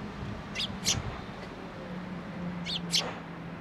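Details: Sparrows gathering at a post at a Tenmangu shrine to be given food, 2 May 2023. Two pairs of short, sharp high chirps about two seconds apart over a steady low hum and quiet hiss.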